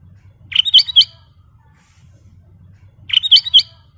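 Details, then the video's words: Lively singing black-crested bulbul delivering short, bright phrases of three or four sweet, slurred whistles, the phrase repeated after about two and a half seconds over a faint low hum. "Kicau Burung Burung Kutilang Emas Gacor full isian"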